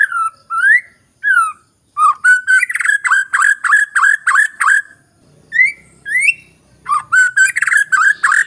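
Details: ['Lure song of the white-rumped shama, meant to get reluctant birds singing quickly. Slurred whistles, then fast runs of sharp rising notes. Two bursts are split by short pauses.']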